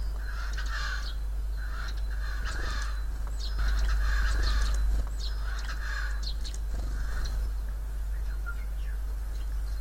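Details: Wild Siberian jay mimicking a cough, giving a series of harsh, hoarse, broken bursts in uneven runs over about ten seconds, with a constant low drone underneath.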